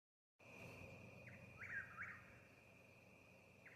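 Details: Eastern whip-poor-will singing in a yard in Mississippi: one clear whistled three-part phrase, a short note followed by two slurred sweeps, set against a continuous high-pitched drone and low background rumble.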